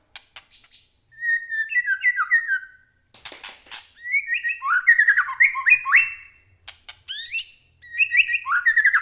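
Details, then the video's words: White-rumped shama in captivity singing long varied phrases: rolling descending whistles, stuttered trills and sharp high chips, with one brief noisy burst between phrases. "murai batu gacor AMPUH buat pancingan murai batu agar bunyi"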